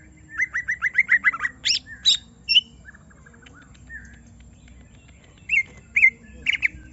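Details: Agitated greater green leafbird, stirred up to pour out its song: a fast rattling series of chirps, then a few loud squeaky notes, a quiet pause, and two or three more sharp slurred calls at the end.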